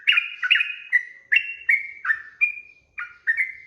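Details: Sooty-headed bulbul in rapid 'ropel' style song, used as master audio to train birds to sing: bubbly, whistled notes, each starting sharply and gliding downward, in a quick run of about ten notes with a brief pause near the end.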